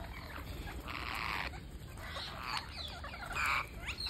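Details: Parakeet during feeding, day 231 of a feeding series, giving two harsh, buzzy rasping bursts about half a second long with softer chatter between them over a steady low background rumble.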